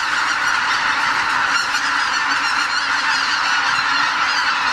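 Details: Dense chorus of greater white-fronted geese departing the roost before sunrise on Lake Miyajimanuma, Bibai, Hokkaido, on spring migration, nearly 80,000 birds; countless honks merge into a steady roaring din with a few sharper calls standing out.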